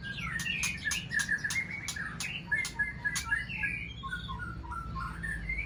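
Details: Aceh-type white-rumped shama kept with a Sabang bird: fluid whistled song with quick warbled runs, broken by repeated sharp clicking notes, then softer scattered chirps near the end, with a steady low hum underneath.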